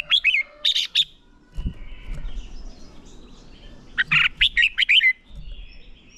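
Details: Red-whiskered bulbul training song: a short slurred whistle followed by two buzzy chirps, a pause with a low thump, then a lively run of six or seven bright, rolling whistled notes.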